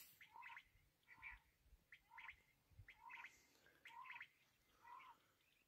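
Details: Black francolin (kala teetar) repeating a harsh, scratchy phrase with a lower nasal component, about once a second for six phrases, fairly regular, with faint low noise behind.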